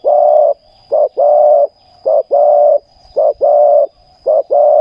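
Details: Spotted dove cooing during ground-level decoy luring, giving paired phrases of a short coo then a longer, even coo, repeated about once a second.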